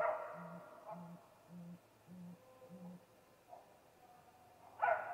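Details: Deep, evenly spaced hoots, five in a row, from a male great gray owl at its snag tree nest on the evening of 21 April 2019, ahead of a nest visit. A harsh, wavering burst opens the run and another closes it.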